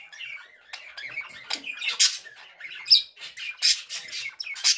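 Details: A male budgerigar chatters in a continuous scratchy warble broken by harsh, noisy bursts about every half second and a few thin whistled notes.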